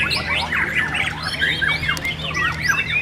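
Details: Murai batu, the white-rumped shama, competing in a singing contest class at Cibubur, Indonesia: loud, fast run of bright whistles, rising and falling slurs and chirps packed together, with a steady low hum underneath.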